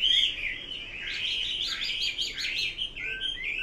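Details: Hwamei song in a dense, warbling burst: a clear whistled note opens, followed by tumbling, jumbled phrases and a few lower sliding notes near the end.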